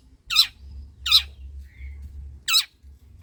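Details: Rough scolding rasps from a 'gacor' long-tailed shrike, a lure for reluctant singers: three loud grating notes with a gap, plus a faint thin whistle between them, and a soft low hum.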